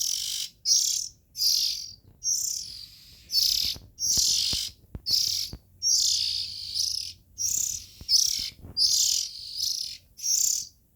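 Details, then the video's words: Several rapid harsh, hissing rasps from Oriental magpie-robin nestlings, repeated more than once a second, with a few faint clicks in the background. "Tiếng Chim Chích Chòe Than Non Kêu Hay Nhất"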